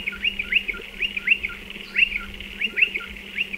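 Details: Calling from nest burrows in a dry stone wall, Striated pardalotes give quick bright chips in loose clusters of two or three, short gaps between bursts, with a constant low background hum.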